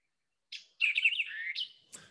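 White-eyed Vireo song: a sharp opening chip, a quick, slurred run of high notes, then an emphatic snapping final note, all within two seconds. No other sounds.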